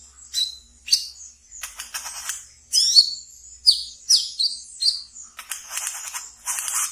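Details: Pet brown-throated sunbird delivering ngeriwik twittering, meant as a lure for young birds: a fast jumble of sharp high chirps and descending whistled notes with clicking bursts, ending in a buzzy rattle.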